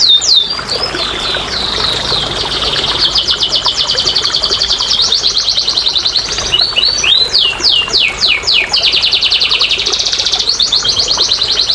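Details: Energetic canary song meant to stimulate lazy singers, mixing long fast trills, rolling tours and bursts of swooping whistles in a continuous loud stream.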